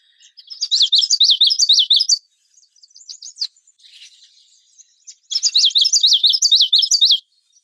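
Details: Common yellowthroat (Geothlypis trichas), song.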